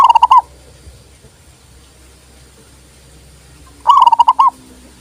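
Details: Local zebra dove song, offered as a tutor and lure for other doves: two short trilled cooing phrases, one at the start and one near the end, separated by several seconds of quiet hum.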